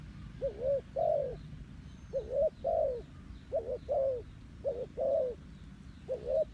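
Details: Decoy spotted dove luring wild doves, cooing steadily in paired phrases, a short rising note and then a longer bowed croo, repeated about four times over a faint low hum.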